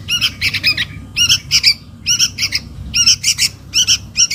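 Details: Sooty-headed bulbul chick begging its parent: grating, rasping notes grouped in twos and threes, about one cluster every half second, loud and harsh against a quiet low background.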